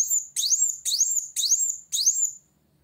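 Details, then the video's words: Sunbird singing to challenge a rival, five separate bright high phrases, each opening with a rising upsweep and ending in a sustained whistled note, spaced roughly half a second apart, then silence. "Kolibri Wulung Gacor Cari Lawan"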